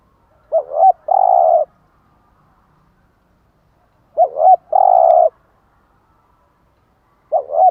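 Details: Spotted dove cooing in the morning bai ban pattern for stimulating caged doves. Each phrase pairs a brief quavering double note with a long, even, buzzy coo. Phrases repeat about every 3.7 seconds against near silence.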